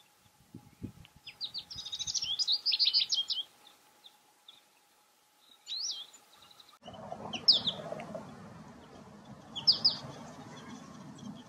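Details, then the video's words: American goldfinches feeding on cosmos seeds in window flower boxes: a run of high, rapid twittering notes, a pause, then more scattered high chirps over a rushing background noise. "Chardonneret, chant / Goldfinch, song"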